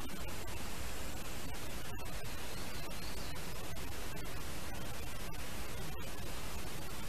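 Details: Eagle nest camera in Latvia on 25 July 2019 at midday, with steady hissing static across the whole band and faint clicks; no animal voice can be picked out.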